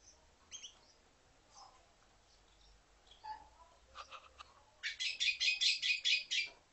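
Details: Red-billed quelea singing: scattered thin chirps and short notes, then a fast run of about nine harsh, buzzy, pulsed notes delivered in quick succession near the end.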